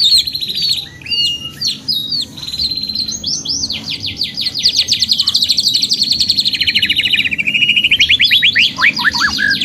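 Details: Canary, long lively gacor panjang song for therapy: clipped high whistles and pauses, then an extended rolling trill of rapid notes that rises and falls before ending in steep downward sweeps.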